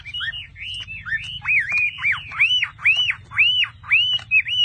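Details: Chinese hwamei, a caged bird sold by a dealer in Vietnam, delivering a string of repeated arched whistles, each note swooping up and down, about two per second, over a steady low background hum.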